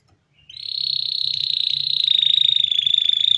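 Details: Canary song: one sustained high rolling trill, rapid pulses kept steady and gently falling in pitch for nearly three seconds, with a faint low hum beneath.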